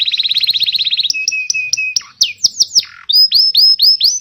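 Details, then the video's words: Canary singing for teaching juveniles and coaxing silent birds: a rapid pulsed trill, a row of short flat notes, several deep swooping slurs, then repeated rising whistles. "Suara burung kenari gacor Pancingan kenari paud kenari macet bunnyi"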